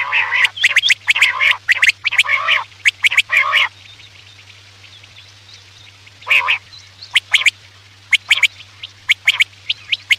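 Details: Quail calls played at night as a hunting lure: bursts of harsh, nasal chattering notes mixed with sharp clicks, a pause of about two seconds, then scattered clicks and short calls, over a steady low hum.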